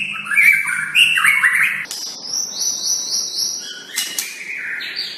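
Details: White-rumped shama master song used for tutoring other shamas. Opens with tumbling fluty whistled notes, then shifts to a long, thin, high sustained series and ends on clear piping tones.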